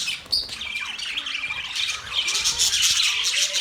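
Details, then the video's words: Budgies chattering on October 11, 2023: a dense, even wash of high chirps and warbles that grows louder toward the end, with a few sliding whistled notes. "Budgies chirping sounds"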